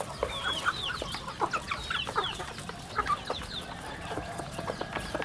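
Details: Chicks at a home chicken farm produce a busy chorus of high, sliding peeps and chirps, overlapping steadily, with soft lower clucks and little background noise.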